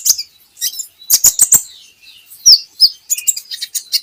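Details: Javan hanging parrot song from a recording meant to get birds singing: rapid high chirps, two sharp rising squeaks near the middle, then a busy run of chirps and clicks.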